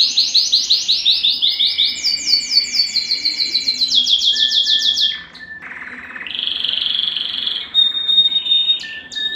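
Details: Canary singing to stimulate mating: fast high rolling trills at first, then a pause and steadier sustained tones and buzzy notes at mixed pitches.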